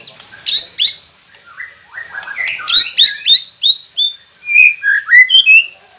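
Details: White-rumped shama song played as a training recording to get quiet captive shamas singing: rich, varied whistled phrases, some sliding downward and others sharp and upslurred, delivered in quick bursts with brief pauses.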